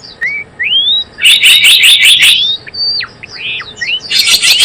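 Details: Java sparrow recording used as a lure for trapping birds and as a tutor recording: a rapid, buzzy chirp series bracketed by single clear whistled notes, some rising and some dropping sharply, with short pauses between.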